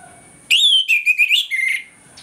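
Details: Morning song of an Orange-headed thrush, a lure meant to make it aggressive quickly: one loud, rich phrase of sweet whistles and rapid slurred notes, broken into five or six pulses, ending in a falling whistle.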